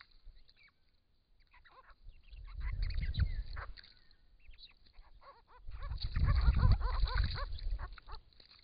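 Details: Wild Grey-crowned Babblers drink and bathe at a pond in regional Victoria, Australia, in hot weather, calling to each other before a camera trap. Bursts of arched chattering notes come with two loud low splashing spells.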